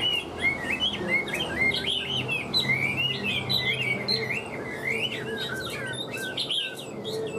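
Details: Hwamei in a cage pours out a continuous stream of mellow and sharp whistled notes, each bending up or down, delivered rapidly and without clear repetition.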